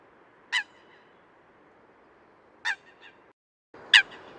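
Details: Eurasian coot (Fulica atra), recorded in the wild on lakes, ponds or wetlands, giving three short, sharp, explosive notes spaced one to two seconds apart, over a steady low hiss of background noise.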